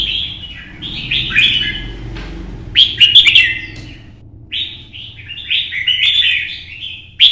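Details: Competition song of a captive red-whiskered bulbul: repeated bursts of liquid, bubbling whistles, each phrase a quick cascade of notes, spaced by short pauses against a low background rumble.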